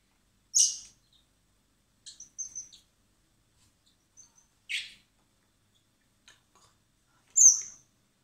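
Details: Young common blackbirds hand-fed in spring at a recovery centre prior to release give scattered high begging notes: a loud rasp, soft chittering, another harsh burst, then a thin piercing squeak.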